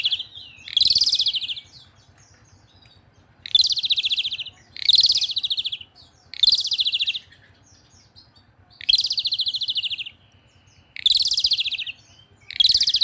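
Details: Asian pied starling singing vigorously: loud, harsh, buzzy rasping bursts about a second long, repeated roughly every two seconds with short silent gaps, over a faint low steady hum.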